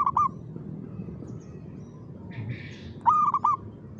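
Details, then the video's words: Lively zebra dove cooing rhythm: a clipped coo at the start, a gap with a brief rustling sound, then a fuller phrase of three stuttering, rounded coo notes. "SUARA BURUNG PERKUTUT GACOR IRAMA"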